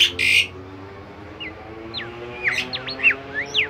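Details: Bimoli bird singing, recorded as a training track for other songbirds and described as very melodious and lively: a burst of high buzzy notes, then a string of sharp, sweeping whistled upslurs and downslurs, with a low steady hum underneath.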